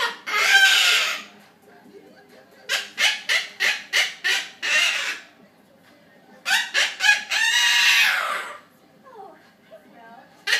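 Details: Pet Triton cockatoo that has learned to laugh, joining in as its owners watch a comedy indoors: rapid staccato 'ha-ha' bursts of five or six notes, broken by long harsh raspy screeches.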